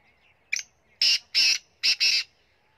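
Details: Black francolin from Punjab, known locally as kala teetar, giving a loud harsh call of four or five grating bursts, the last two run close together, against a quiet background.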